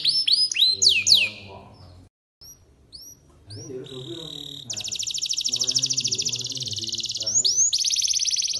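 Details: A singing canary, gacor style with cengkok mewah phrasing, gives plunging whistled swoops, a pause with short upslurs, then a long rapid buzzing trill broken by sweeping notes.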